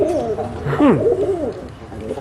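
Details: Pigeon cooing played in a preschool lesson on animal sounds, described as a bird often heard by the window: low, soft, warbling coos that swoop down in pitch and then level out, over faint room noise.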